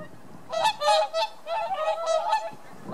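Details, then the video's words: Whooper swans from Scandinavia wintering in Holland, several birds calling together: loud, nasal, bugling honks in overlapping bursts, some short and clipped, others drawn out and slightly wavering, with a brief quiet gap before the final calls. "Sound of the Whooper"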